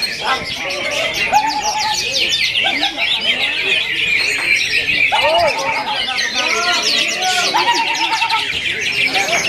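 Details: Greater green leafbird singing a dense, fast, varied song of high chattering and twittering phrases with quick slurred notes, while lower looping whistles and voices sound in the background.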